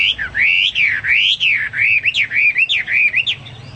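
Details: Hwamei song meant as a tutor for caged birds: loud, fluid, looping whistled phrases that rise and fall smoothly, repeated in an unbroken flowing sequence.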